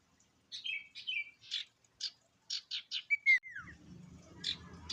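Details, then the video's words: Sirtu singing actively, kept songbird: a run of short buzzy chirps near mid-high pitch, then a clear descending whistle slur, followed by a few more chirps over a faint low hum. "Burung sirtu gacor Variasi Isian Siulan Paling Mewah!"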